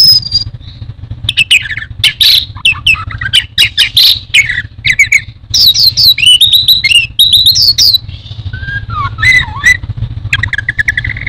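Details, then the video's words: Orange-headed thrush (anis merah), a songbird widely kept in Indonesia, delivering a rich, fast song of varied whistles, sharp chips and buzzy trills with swooping notes, over a steady low hum. "Burung anis merah teler teler keterlaluan"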